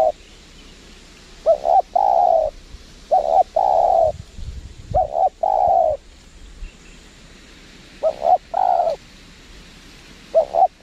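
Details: Cooing of a spotted dove at a windy trapping site in Lombok, Indonesia, where a wild bird meets a lure bird; double short notes lead into a drawn-out croon, given in several phrases separated by quiet gaps with low background rumble.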